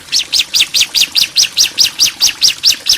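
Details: Bar-winged prinia pair, female and male calling back and forth: a fast, even series of about fourteen sharp high chirps, each a quick down-up flick, evenly repeated through the whole stretch.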